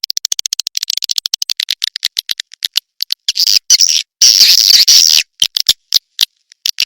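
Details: Swiftlet sound from Indonesia, an 'sp kompak' for swiftlet farmers: fast runs of crisp clicks, followed by a sustained shrill buzzing twitter, then scattered clicks again.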